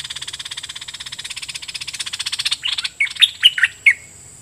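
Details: Decoy red-whiskered bulbul singing at wild birds: a long buzzy rattle of evenly repeated pulses, then several loud, clear, slurred whistled notes.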